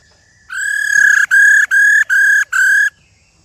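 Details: Old wild-caught female laughingthrush calling to stimulate males to sing: five loud, flat, steady mid-pitched notes with strong overtones, each roughly a third to half a second long, separated by short even gaps, over a quiet background.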